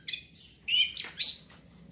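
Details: Orange-headed thrush song meant to stimulate breeding urge: three or four short, loud whistled notes in quick succession, alternating higher and lower, over faint background hum.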